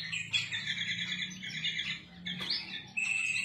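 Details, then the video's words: Black-crested bulbul (kutilang emas) song used as a training recording for cage birds: rich whistled, warbling phrases with harmonics, broken by a short pause and a sharp note, over a steady low hum. "Masteran Kutilang Emas Mudah Gacor"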